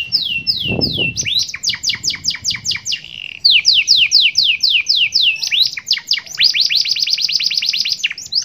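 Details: Kenari song, 'cengkok super mewah' with 'glatik batu' fill-ins: long runs of fast descending whistled sweeps, several changes of tempo, ending in a very rapid rolling trill, with a brief low thump early on.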